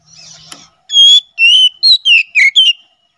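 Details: Ngeplong song of an Oriental magpie-robin used for bird training and luring wild ones in forest; a soft rustle and click precede six loud, clear whistles, the first drawn out, the rest short and slurred.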